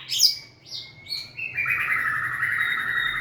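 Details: White-rumped shama singing as it dances and wags its tail: a few quick high chirps followed by a long, steady, sustained whistle held to the end.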